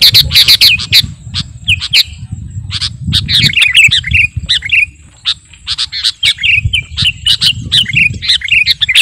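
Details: Kutilang garuda, a sooty-headed bulbul, in vigorous chattering song for luring birds. Harsh squawky chirps come in rapid bursts, then give way to slurred whistled phrases, over steady low outdoor noise.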